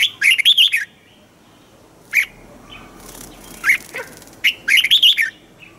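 A red-whiskered bulbul gives bright, bubbling phrases of quick warbled notes in short bursts, with brief gaps between them and a quiet background.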